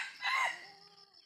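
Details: Brief, hoarse crow fragment from a 'jalak' junglefowl, one rough harmonic burst that fades quickly, with a continuous high insect hum behind it.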